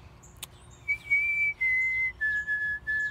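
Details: White-throated Sparrow singing in an urban backyard in St. Louis in early spring: pure whistled notes, two higher opening tones, then three repeated lower notes stepping down, like 'Oh Sam Peabody Peabody Peabody'; faint background chatter.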